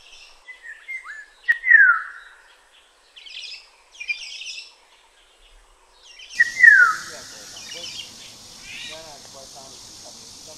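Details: Black-naped oriole in Kaohsiung City, recorded 9 May 2016: two loud fluty whistles slurring steeply downward about five seconds apart, with buzzy chatter from other birds and a steady hiss through the second half.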